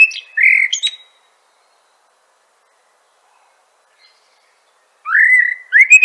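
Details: Fluting common blackbird song phrase closing in squeaky high notes, then four seconds of silence before a rising, sustained mellow whistle opens the next phrase.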